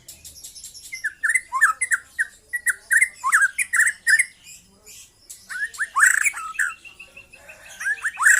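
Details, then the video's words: A young white-rumped shama recently out of its spotted juvenile plumage delivers a steady stream of short whistled notes, many repeated in quick succession, with scratchy squawking overtones and a brief pause midway. "KICAU BURUNG MURAI MUDA LEPAS TROTOL"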